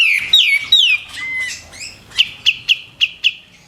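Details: White-eared bulbul in a tutor recording for training contest songbirds, praised for loud, sharp shot-like phrases: clear slurred whistles falling from high to lower pitch, then five short sharp notes spaced about a quarter second apart.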